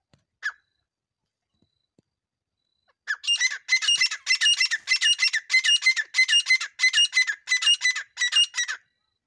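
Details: A female grey francolin gives one short note, then a run of about eleven harsh, grating squawks, roughly two per second, for five seconds.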